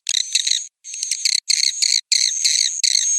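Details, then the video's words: Roosting call of swiftlets, Piro 89 version: three or four shrill chattering bursts layered over a high level whistle, with short pauses between them. "Suara Inap Burung Walet"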